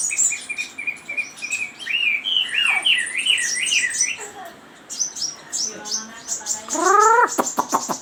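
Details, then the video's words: Chinese hwamei song of repeated looping, wavering whistles that swing up and down in a steady sequence, then high chips, ending with a short nasal, buzzy rising note and clicks. "Suara Burung Wambi ( Hwamei )"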